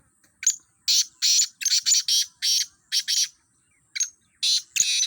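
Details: Black francolin (kala teetar) calling in a calling contest trial among fifteen birds: harsh, grating bursts in rapid, irregular series, about ten short raspy notes over five seconds with brief pauses, and no other clear sounds.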